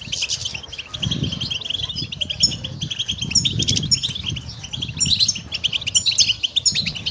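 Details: Goldfinch song for training songbirds: a dense, fast twittering of bright chirps and buzzy trills, over intermittent low rumbling and fluttering sounds.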